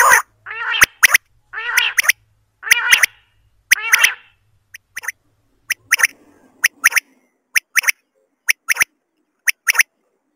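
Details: Female common quail (batair) calls used in quail hunting: four buzzy, harmonic rasping notes, then a run of sharp clicks, mostly in quick pairs, repeated about once a second.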